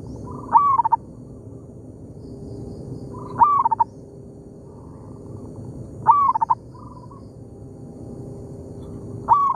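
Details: Local wild zebra dove in an oil palm plantation, calling back and forth with a decoy: four whistled, stuttering phrases about every two and a half seconds, with softer coos in the gaps and a low steady hum.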